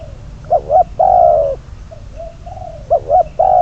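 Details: Spotted dove serving as a decoy for bird trapping: a loud two-part wavering note, a long mellow falling coo, quieter soft hoots, then the pattern starts again.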